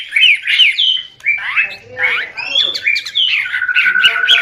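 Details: White-rumped shama in full vigorous song, recorded as tutor material: loud varied phrases of slurred whistles and sweeps, some harsh notes, ending in a held steady whistle under quick chips.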